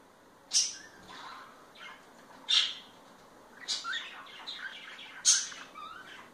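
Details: Parakeets being affectionate with each other give short, harsh, high chirps and scratchy chatter: a few sharp calls spaced a second or two apart, with softer twittering between.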